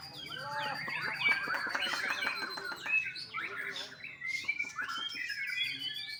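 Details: Juvenile white-rumped shama kept at a bird farm in Bali, pouring out a rapid jumble of whistles and chattering notes, then brighter rising phrases with short pauses between them.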